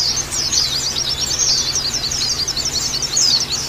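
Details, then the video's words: Flock of white-eyes (pleci) massed together, used to stir a caged bird into harsh chattering; dense, high, rapid twittering chirps overlap continuously without pause, with a faint steady low hum underneath. "Terapi Pleci Ombyokan Jaminan Langsung Ngeriwik Kasar Dan Buka Paruh"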